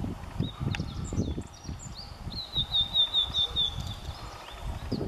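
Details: Blue-and-white flycatcher at Kobe Municipal Forest Botanical Garden, Japan, on a sunny June morning in 2014: a high, fast trilled phrase at steady pitch with scattered thin chirps from other birds and low rumbling background noise.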